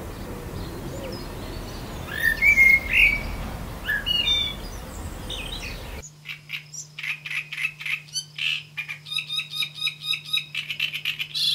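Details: Great Reed Warbler singing in spring in the Ebro Delta, Spain: harsh, croaking and chattering notes repeated in rapid, rhythmic runs over a low hum; earlier, other birds chirp over windy, rustling noise.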